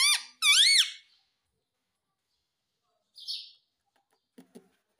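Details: Indian ringneck parrot, a rose-ringed parakeet, mimicking "mummy papa": two loud, harmonic-rich arched calls in the first second, then a brief softer buzzy note and faint clicks near the end.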